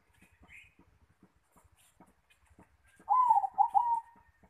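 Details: At the nest, a zebra dove (perkutut) gives one bubbling rolling coo phrase of four quick notes with a drawn-out ending, preceded by faint rhythmic clicks and a soft brief chirp.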